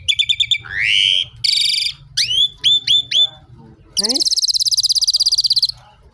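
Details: Asian pied starling singing to call for rain: quick chirps, a rising whistle, a buzzy burst, three hooked whistles, then a long fast harsh rattle of about twenty pulses.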